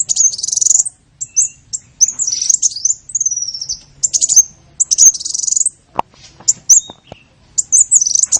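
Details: Bird lure call meant to draw in small birds: dense high twittering, squeaky upslurred chirps and short buzzy phrases, broken by brief gaps and a few clicks.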